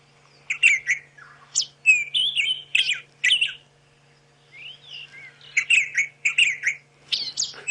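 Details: White-throated Robin-Chat song on a sunrise safari drive in early September as summer birds return: bright, rich warbled phrases of quick slurred notes in two bursts with a short pause, over a faint low hum.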